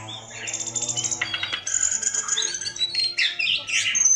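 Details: Javan pied starling singing constantly, used as bait to prompt a reluctant bird into song: dense, varied chatter of whistles, buzzy notes and rapid trills, with sharp high whistled notes near the end and a steady low hum underneath.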